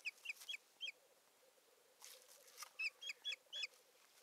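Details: Osprey at a nest on a live nest camera in Satakunta, Finland, 7 May 2019, as one bird brings a stick and busies itself; sharp, whistled, slightly downslurred notes given in short runs of two to four, with faint background hiss.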